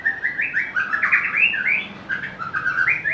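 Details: White-rumped shama, a species noted for a sweet, varied voice and for mimicking other birds, singing a loud, continuous warble of rich slurred phrases that rise and fall in a mid-high register, with a quiet background.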